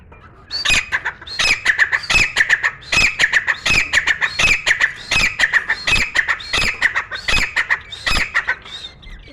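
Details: Grey francolin, a captive bird kept indoors, singing without pause: loud harsh squawking notes repeated steadily about every half second in a long, even series.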